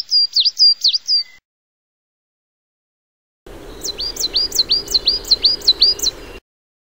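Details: High, bright coal tit song: rapid repeated two-part phrases with a sharp downward flick, a short burst then a longer one of about nine phrases over soft background hiss.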